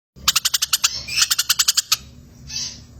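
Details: Eurasian tree sparrow in 'gereja tarung' (fighting) style, used as tutor recording for competition birds alongside a kingfisher: a quick burst of about fifteen sharp, high chirps, evenly spaced, then a fainter buzzy note.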